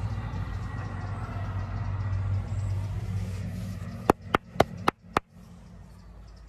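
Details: Low engine rumble fills the first four seconds, then five sharp knocks or clicks, with no animal voice.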